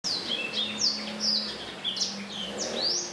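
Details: Black-throated laughingthrush in lively song, recorded on Thursday 15 December 2016; bright whistled notes sweep downward and upward in quick succession, with a faint low steady hum underneath.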